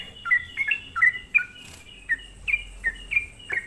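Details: Sooty-headed bulbul lure song aimed at provoking other bulbuls; sparse bright chirps with clear whistled tones, about three per second at first, then spaced wider, over low background noise.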